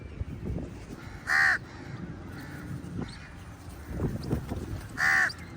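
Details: Crows fighting with eagles over food, giving two loud harsh caws about four seconds apart over low rumbling background noise.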